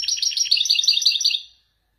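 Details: Widani European goldfinch from Morocco delivering a traditional Marrakech nzoulat passage, a dense, fast, tinkling trill of high metallic notes lasting over a second before fading away.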